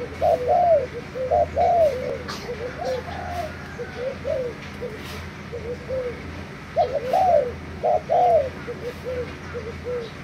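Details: Spotted dove decoy bird from Thailand, recorded 3 March 2018, cooing in soft, mellow, low phrases of several hooting notes, repeated in bouts, over a steady low hum with faint chirps of other small birds in the background.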